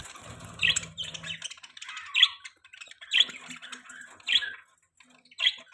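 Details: Pet budgerigar gives sharp, clear squawks about once a second over soft background chatter, with a low rumble at the beginning.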